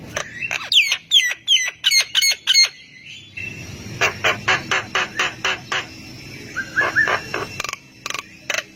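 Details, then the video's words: Javan myna in lively song meant to draw replies from reluctant mynas, beginning with quick hooked, ringing chips, then shifting to dry rhythmic clicks over a steady hiss. "JALAK KEBO GACOR BIKIN JALAK MALAS BUNYI IKUTAN NYAUT AUTO RESPON"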